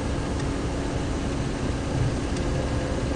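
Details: Loud, constant vehicle engine roar with a steady low hum and broadband rushing noise.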